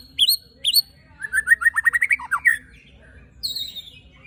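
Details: White-rumped shama song with coarse fill-in, used to rouse rival shamas: two sharp upswept whistles, a fast buzzy trill of stepped notes, then a thin, high, descending phrase.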